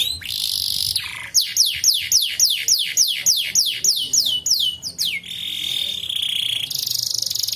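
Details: Canary song used to stimulate untrained birds to sing: a buzzy opening, then a rapid series of about fifteen bright descending whistled sweeps, roughly three per second, followed by long steady buzzing trills.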